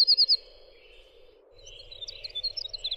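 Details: Winter wren singing in a tutoring recording: a short, loud, very high trill of four notes, then a quiet gap, followed by softer scattered high chips and a brief trill, with a low hum and faint rumble behind.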